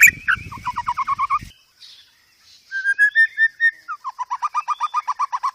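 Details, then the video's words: Cage-bird training master song of white-rumped shama with full fillers: a quick string of short whistled notes, a brief pause, clear mellow whistles, then an even run of rapid repeated chips. "Masteran Burung Murai Batu"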